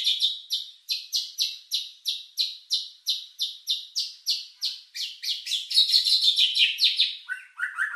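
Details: White-rumped shama lure song with rich filling to raise emotion and breeding urge: a rapid run of buzzy chirps, about three each second, shifting at the end to lower quick notes, in clean quiet surroundings.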